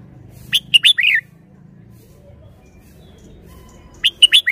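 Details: Red-whiskered bulbul, a caged bird, gives a brief burst of bright chirped whistles. After a quiet pause with low background hum, it gives a second matching burst of the same notes.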